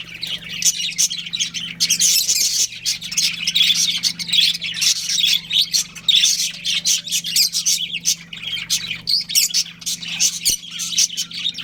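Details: Pet budgerigars, a breeding pair, keep up busy overlapping chatter: rapid squeaky chirps and twittering bursts throughout, with a constant faint low hum underneath.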